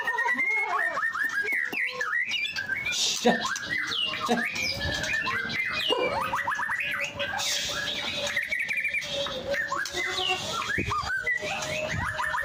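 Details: White-rumped shama in energetic, full song: a dense, fast stream of varied whistled notes, sweeping slurs and rapid trills that change constantly over a steady background hiss.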